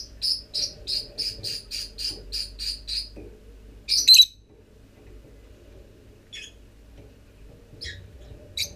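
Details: Nearly forty-day-old lovebird chicks coming out of the nest on 25 December; a steady run of about ten high chirps, roughly three per second, then a louder squeaky burst and a few scattered chirps.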